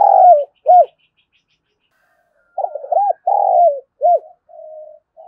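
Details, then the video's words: Lure spotted dove cooing to draw in wild birds: two loud arched hoots, a pause, then a full phrase of rolling coos, a long coo and a closing arched note, softer coos trailing off. "cu gáy mồi gáy gọi bổi nhanh về cội và mồi nhạy gáy, cu gay kich boi nhanh noi gù"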